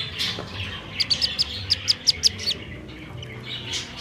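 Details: Roadside-found Black-bellied Whistling Duck chick at about half past six in the evening, calling for help with a single run of roughly nine sharp, high peeps amid faint background hiss.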